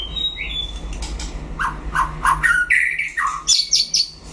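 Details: A white-rumped shama in a solo duel gives a short high whistle, then a run of mellow repeated notes stepping upward, then bursts of very high sharp chirps, with a constant low hum.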